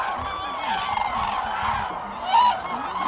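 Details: Massed common cranes at Lake Hornborga in Sweden, April 2017. Overlapping resonant bugling fills the short stretch, swelling into one louder, clearer trumpet call near the end.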